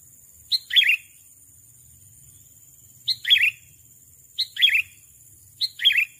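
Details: Sooty-headed bulbul calling a rival, four evenly formed phrases, each a crisp note followed by a bright falling chirp, repeated roughly every one to two seconds.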